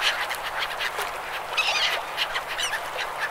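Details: A flock of gulls on a river gives harsh, overlapping squawks and mewing cries, with short clipped notes crowding over one another and a steady background hum.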